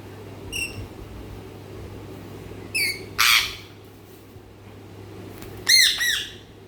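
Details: A parrot gives short, harsh, high squawks and chirps in separated bursts, with quiet pauses between calls and a low steady hum in the background.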